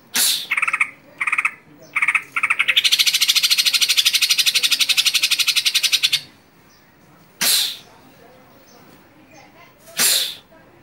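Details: Sumatran leafbird used as a training recording for songbird contests: a few harsh broadband notes, then a long, rapid, buzzy rattle of about three seconds, followed by single loud sharp calls with pauses.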